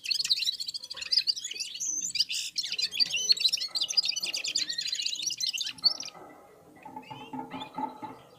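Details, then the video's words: Red-fronted serin (Serinus pusillus) of Central Asia warming up its song alongside other birds: a dense, fast twittering of high chirps and trills for about six seconds, then quieter, lower chattering. "Попели поели и опять попели в Унисон Красношапочные вьюрки"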